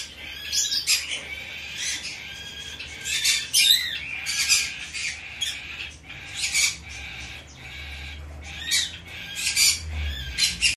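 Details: Bourke's parrot chick, hand-tame, in Fukuoka, Japan, on 10 September 2024, squawking in rapid, rough bursts, some with quick upward or downward slides, repeated irregularly every half second or so, with a low rumble near the end.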